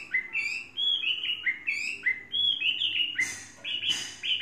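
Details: Chinese hwamei, a trained three-season bird, pouring out rapid ringing whistles in overlapping downslurred and upslurred notes, dense and continuous, with a brief louder burst near the end.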